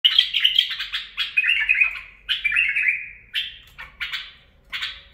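A bulbul sings rich, chattering warbled phrases, each about a second long with short pauses, bright and mid-high, in a quiet indoor space.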